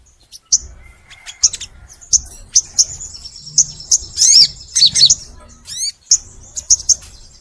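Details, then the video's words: Crimson sunbird singing in the full nembak style: spaced high sharp chirps at first, building to quick twisting slurred phrases and a rapid descending series of notes, then more evenly spaced chirps. "MASTERAN SOGON FULL NEMBAK! Suara Sogon Gacor Panjang"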